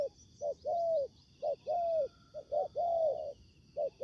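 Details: Spotted doves used in ground-decoy trapping, a seasoned decoy facing combative wild birds: repeated low mellow coos, short notes followed by long drawn hoots, overlapping as if two birds answer each other, over a steady high insect drone.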